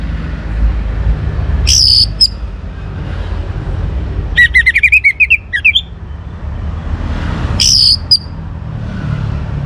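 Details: Young Orange-headed Thrush singing to spur other birds to sing: two brief high whistled notes, then a rapid jumbled run of chirps, then another high whistle, over a low rumble of passing traffic.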